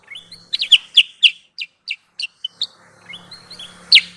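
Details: Sooty-headed bulbul trapping lure: rising thin whistles leading into loud, sharp downslurred chirps in a quick series, with a faint low hum underneath and a final emphatic chip.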